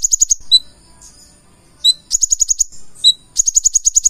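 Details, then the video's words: Gacor full isian from a purple-throated sunbird (konin): runs of rapid high ticks interleaved with a single lower whistled note between bursts. "KONIN GACOR FULL ISIAN"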